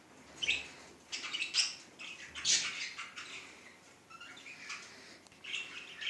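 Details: Caged-type pet budgerigar chattering in uneven bursts of chirps and buzzy twitters, with louder notes around the middle and end.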